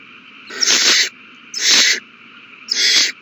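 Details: Owl nestlings at feeding time, 27 March 2020; three long breathy rasping hisses about a second apart, each swelling and cutting off sharply, over a faint hum.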